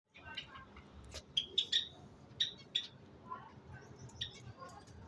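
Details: A pair of Australian budgerigars chatter with quick, high chirps and short squeaky notes over a soft background hum.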